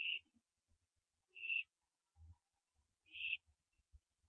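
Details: Barn owlets at 4 AM on 15 September 2011 during branching: three faint rasping hisses about one and a half seconds apart over soft low bumps.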